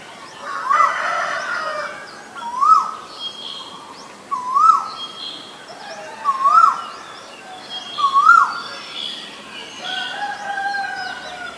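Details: Male Asian koel repeating a rising whistled note five times at regular intervals of under two seconds, with chirps of other birds in the background.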